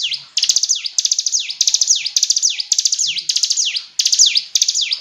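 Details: Continuous run of high, shrill hill prinia phrases, each a fast downward sweep ending in an upturn, repeated almost two per second with crackling click notes layered over the top.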